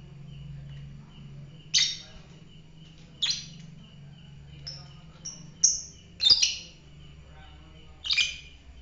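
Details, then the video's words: Fighter lovebird uttering shrill, rasping chirps and a few thin whistled notes, about eight calls at uneven intervals, against low background hum and a faint steady tone. "fighter lovebird"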